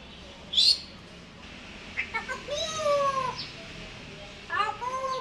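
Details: African grey parrot talking while it dances and begs for food: a sharp high chirp, then drawn-out harmonic calls that rise and fall, and another burst of layered vocal notes at the end.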